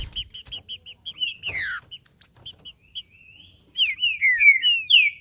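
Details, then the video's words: Male green-winged saltator singing, offered to warm up another male: a quick series of about a dozen clipped high chips slows into downslurred notes, then bright rising and falling whistled phrases, clear against a quiet background. "Trinca ferro Macheando com Trinca ferro cantando Para Esquentar Trinca ferro"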